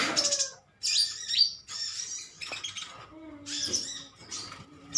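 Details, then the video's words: Metallic green sunbirds in a colony chirping at one another: scattered bursts of high, thin twitters and squeaks, broken by brief pauses, with a low steady note in the second half. "Koloni burung konin metalik ijoan saling adu nyrecet"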